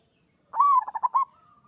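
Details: Kerot song of an actively singing local zebra dove, played to make other doves answer: a sudden coo rippling into four quick pulses, ending with a soft drawn-out level note.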